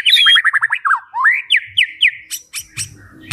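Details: White-rumped shama song, a full varied repertoire: a rapid series of descending chirped notes, then rising whistled sweeps and sharp high trills near the end.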